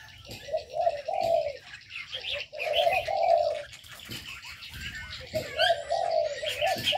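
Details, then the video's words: Aviary birds give intermittent cooing bursts between quieter gaps, with brighter high-pitched chirps and twitters scattered throughout. "Ngắm chim cảnh đẹp trong avi, aviary birds"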